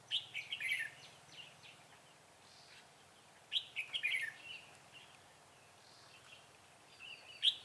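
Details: Red-whiskered bulbul, a decoy bird used for trapping, dated 6 December 2016; short bright warbled phrases of quick chirping notes come in bursts at the start, middle and end, with quiet gaps between and a faint low hum beneath.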